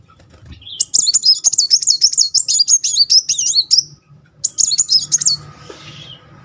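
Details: Muncang sunbird rolling song, used as therapy to make silent birds sing. A long, rapid, high wavering trill of about three seconds, then a shorter burst, with faint rustling at the end.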